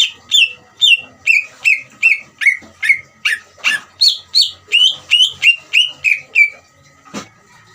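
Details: Greater green leafbird in ngeriwik style, used as bait to stir up other leafbirds: an unbroken series of about sixteen bright, downslurred whistles, roughly three per second, ending with one low thump.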